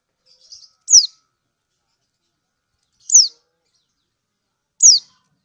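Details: Female lemon-bellied white-eye (kecial kuning) from Lombok calling a male, used to prompt other birds to call: a soft twitter, then three sharp, high, downward-sweeping 'ciak' calls about two seconds apart.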